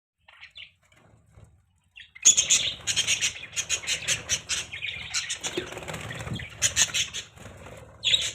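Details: Budgerigars chirping: after two seconds of near silence, a dense run of scratchy, buzzy chatter and short squawky notes, with bursts every fraction of a second and a louder squawk near the end.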